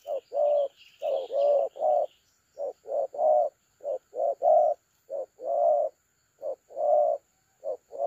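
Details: Cooing of a spotted dove in the thổ calam style, a decoy caller recorded 30 October 2022; repeated low hollow coos grouped in short phrases with gaps, faint high chirps of another bird early on, light steady hum.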